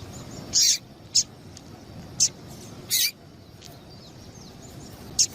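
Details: Female double-collared seedeater giving calls used by keepers to excite males for tournaments: short, very high, sharp chirps at irregular intervals, some in quick pairs, over a quiet background hiss.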